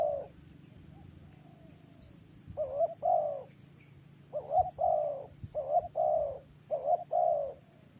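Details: Spotted dove giving a run of mellow paired coos after a quiet start, a short rising note then a longer drawn-out coo, repeated several times with a steady low hum behind.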